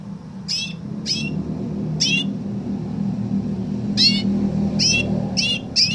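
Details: Canary imitating a woodlark, giving a run of clear, falling whistled notes roughly every half second to second, quickening toward the end, over a continuous low rumble.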